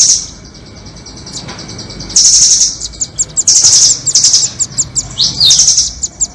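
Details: Red-billed and doraemon rambatan nuthatches on a bird-trapping lure: quiet start, then loud high trills broken by rapid chips, with a quick downward sweep toward the end.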